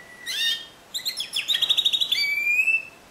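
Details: Discontinuous-style Timbrado canary: a short flat whistle leading to a bright chirp, then a rapid run of metallic repeated notes and a held, slightly rising whistled tone at the close.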